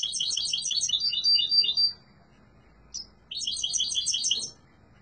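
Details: Yellow mutation European goldfinch singing strongly: two bursts of rapid, high tinkling twitters with buzzy trills, separated by a pause of about a second with one brief note between them.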